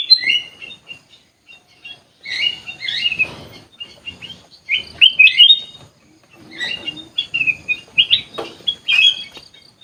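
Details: Sooty-headed bulbul singing in an aviary, repeating short bubbly whistled phrases in clusters of three to four notes, with brief gaps between groups and light background rustling.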